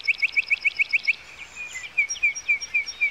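A yellowhammer sings a fast, dry string of about eight identical high chips, followed by a drawn-out thin note and slower repeated notes. The background is quiet.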